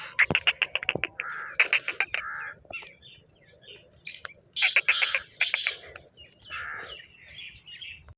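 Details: Harsh, rasping call of a black francolin. Quick clicking series give way to three loud grating bursts in the middle, and softer chirps from other birds follow.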